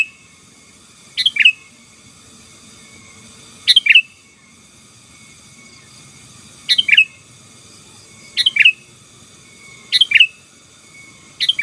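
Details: Sooty-headed bulbul, a 'gacor' singer whose song is used to press and dominate rival birds: short bubbly, chirpy two-part phrases, each under half a second, repeated irregularly about every two to three seconds over a faint steady high tone.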